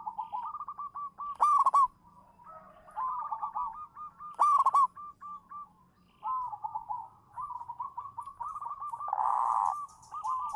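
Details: Local zebra dove kept as a champion lure bird sings from its perch: long stretches of purring, trilled coos with two loud, harsh bursts early on and a blurred, noisy patch near the end.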